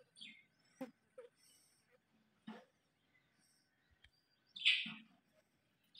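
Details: Alexandrine parakeets, a pair shown in love, giving scattered short chirps followed by one loud, harsh, squawking call near the end, with faint low murmurs in between.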